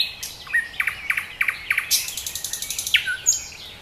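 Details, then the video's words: Wild nightingale in song at Dubki park in Sestroretsk near Saint Petersburg, delivering a loud series of spaced chirps that speed into a fast rattling trill, closing with a sharp whistled downslur. "Соловьи поет очень красиво-The nightingale sings very beautifully!!"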